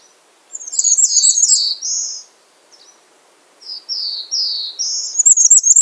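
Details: Bay-breasted warbler calling: very high, thin slurred notes in two bursts, each a few descending sibilant notes followed by a rapid sparkling high trill, separated by about a second of silence.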